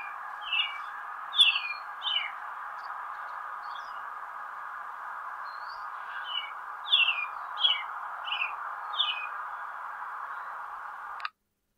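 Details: An American robin, a spring backyard bird, sings clear, whistled phrases of two or three slurred notes, with short pauses between groups, over a steady low background hum.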